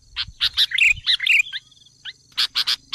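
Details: Sooty-headed bulbul lure recording used to excite wild birds: short bright chirps, then a jumbled burst of slurred whistled notes, a pause with a few faint slides, and three crisp closing chips.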